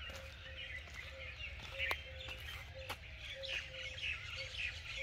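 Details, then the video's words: Birds singing on a morning after rain: busy overlapping chirps and short whistled notes at mid-high pitch, with a steady low drone underneath and a few sharp clicks. "Birds Sounds Spectacular | Morning Birds Sounds"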